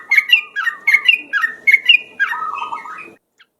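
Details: Yellow-vented bulbul lure song: repeated bubbly, whistled phrases about every half second, each with a rising then falling slur, ending in a longer warbled run.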